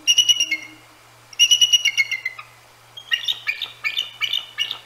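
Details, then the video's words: Nesting Bald Eagle pair at Decorah North on a January night, vocalizing at hooting Great Horned Owls; two runs of high, descending squeaky chatter, then a stuttering series of sharp piping notes, a faint deep hoot at the start. "Eagles Vocalize at GHOs"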